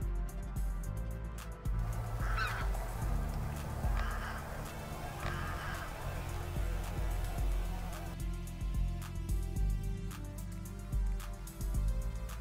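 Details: Taiga bean goose flight call in mid-December near a river mouth: a few nasal honks, spaced a second or two apart, given while flying, over a heavy low rumble of wind or engine noise.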